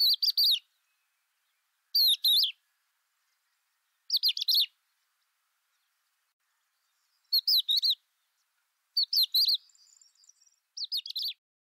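A crested lark gives short, clear whistled phrases of a few notes, about one every two seconds, with silent gaps between them.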